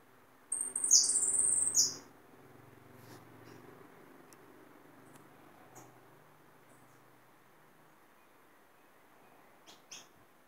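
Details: A caught, captive hooded siskin, reluctant to sing much, gives a brief, high, bright twittering burst of about a second and a half, followed by near silence with a few faint high ticks.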